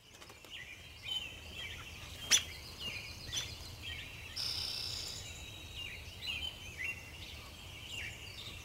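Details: Pine siskin giving a run of short, high chirping calls, many of them slurred upward, scattered through the clip. A longer, brighter high note comes around the middle, over a faint low background hiss.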